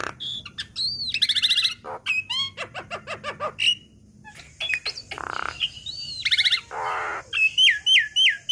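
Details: Young black-winged myna singing in a training recording to lure other birds into song: a busy, varied mix of rapid rattles, ringing downslurred whistles and harsh buzzy bursts, delivered almost without pause.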